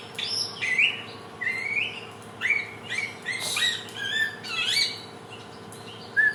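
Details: Samyong, the helmeted friarbird of Nusa Tenggara, Indonesia, nicknamed the bird of 1001 voices, giving trotolan-style lure song for teaching sounds: a run of varied rising whistles, slurred squeaks and harsh chattering notes with brief pauses.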